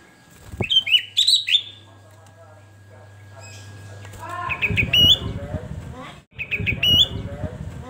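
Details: Sooty-headed bulbul (kutilang) in gacor song: short, bubbly whistled phrases near the start, then more rising whistles later over loud rustling and handling noise, with a steady low hum in the first half.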